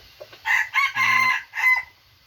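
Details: F2 junglefowl rooster, called very vigorous, delivers a full crow: a short opening note, then three loud harsh rasping segments, the long middle one held, ending with a falling final phrase in a quiet setting.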